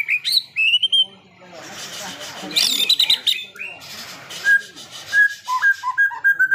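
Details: White-rumped shama singing clear whistled notes, rising and falling, then a noisy scratchy passage, ending with a run of short repeated whistles near the close.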